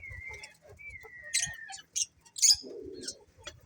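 Budgerigar chatter: a long, level whistled note, then quick scratchy chirps and a harsh, grating burst, like several birds calling together.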